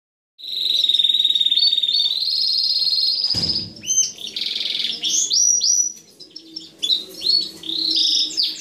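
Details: Canary singing a loud, continuous, high song: a long, steady, ringing trill, then a brief clatter, then varied rolling trills, sweeping whistles and buzzy chirps in quick succession.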